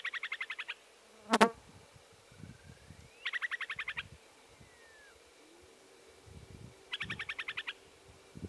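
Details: Upland sandpipers calling in regenerating burned jack pine at Baraga Plains, Michigan, on 21 June 2017: three short, fast rattling bursts of high pips, each under a second, a few seconds apart; a sharp click and low wind rumbles.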